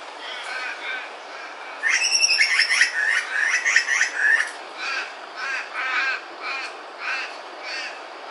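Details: A grey butcherbird atop a tree at Cape Woolamai, Phillip Island, just after a heavy downpour, repeats a loud, harsh, chattering burst, then shorter rasping calls about every half-second.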